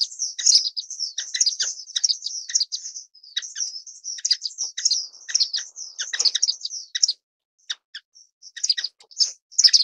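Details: High-pitched, nearly continuous twittering from an orange-cheeked waxbill, Estrilda melpoda: quick chirps and buzzy trills run together for about seven seconds, then a short gap and a few more chirps.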